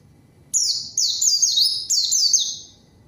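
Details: White-eye singing to provoke a rival into responding: a single burst of about six fast, high, falling slurred notes, sharp and clean against near silence.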